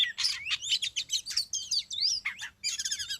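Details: Dense, rapid medley of high whistles, chirps and sharp slurred notes from an oriental magpie-robin being lured on a concrete road, ending in a quick trilled run, with low background rumble.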